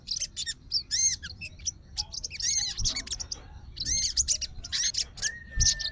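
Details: An emotional fighter-type sooty-headed bulbul answering at once, with clusters of bright, upward-swept whistled notes and chattering, ending in a long, steady thin whistle.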